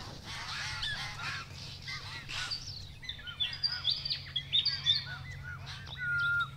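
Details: Several White-winged Choughs together in the Capertee Valley, NSW, October 2018. They give a steady stream of short curved chirps, bursts of sharp high notes in the middle, and a steady whistled tone near the close.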